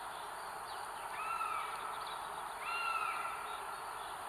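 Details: Female northern goshawk at her nest with three eggs in North Estonia, on a live nest camera, 30 April 2022: two drawn-out, arched wailing calls about a second apart, faint over steady background hiss.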